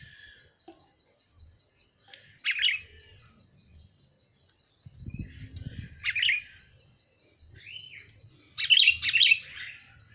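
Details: Sooty-headed bulbul calling with several separate bubbly, chirping bursts a few seconds apart, one slurred rising note among them, and low rumbling in the background.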